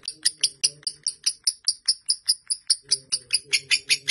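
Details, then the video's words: Fighter lovebird, a caged bird, in long chattering song: a steady run of sharp, high, clipped chirps repeated about two to three times a second, with a faint low hum behind. "Lovebird Fighter durasi hampir 4 menit"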